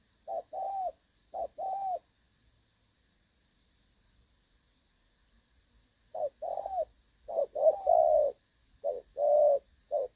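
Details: Spotted dove call of the đồng son style with a clear voice, used as a decoy for trapping, dated 16 August 2024: low, mellow coos in quick groups of two or three, a long silence, then a longer series of repeated coos.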